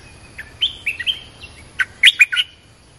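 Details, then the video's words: Streak-eared bulbul lure song from a fierce territorial contest: scattered bright chirps and short slurred whistles, then a rapid burst of four or five sharp notes near the end, over a quiet background with a faint high hum. "เสียงนกดอกแตงEp.227/2 ปิดเกมส์จ้าวถิ่นโคตรดุ!! ลุ้นกันเหนื่อย Suara pikat merbah lekir gacor"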